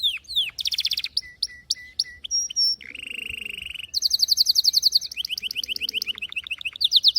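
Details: Lively canary song shifting quickly between whistled slurs, chopped chirps, a nasal buzzing stretch, and long rapid trills of sharp repeated notes, loud and unbroken throughout.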